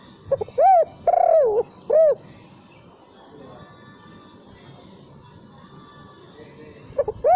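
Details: Spotted dove lure call for training, without the closing 'kuk'. A burst of soft, rounded coos, one longer and wavering, then a quiet gap of several seconds before the cooing starts again, over a steady low hum.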